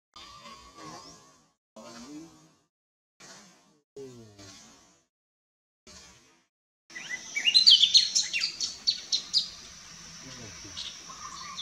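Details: Variable limestone babbler (Gypsophila crispifrons) in limestone hills of Saraburi, Thailand, giving rapid, high, squeaky chirps in a busy run of notes, following several short, quieter bursts of lower sound.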